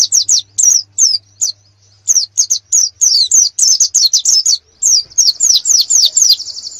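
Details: Canary training song for competition birds: spaced sharp high notes give way to a dense run of quick slurred whistles, finishing in a sustained thin buzzy trill.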